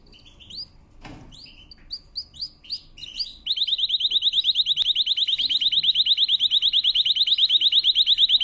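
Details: Canary singing a powerful training song: a few separate upward-sweeping chirps and a short noisy burst, then a long rapid buzzy trill held at one steady pitch, pulsing about three times per second.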